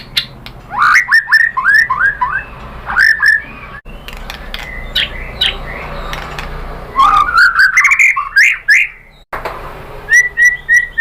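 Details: Lure recording of white-rumped shama song to stimulate replies: clusters of quick whistled notes with short gaps between phrases, clicks scattered throughout, and a rising whistled run near the end.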